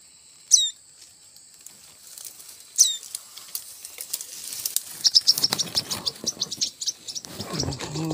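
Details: Tailorbird nestlings found in bamboo being cut for a hut roof, later released: two sharp, very high chirps a couple of seconds apart, followed by rustling, tapping handling noise.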